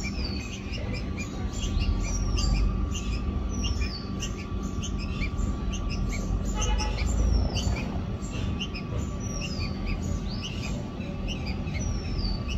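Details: Red-vented bulbul, a baby with its parents, giving quick, thin, high chirps that slide downward, several each second, over a constant low rumble of wind or distant traffic.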